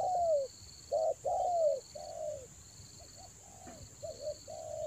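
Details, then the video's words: Spotted dove cooing used to lure birds in the rainy season, Toba: several loud, falling coos early on, then softer, fainter notes fading out, with a steady high drone throughout. "TEKUKUR PIKAT RAJA ANGGUK"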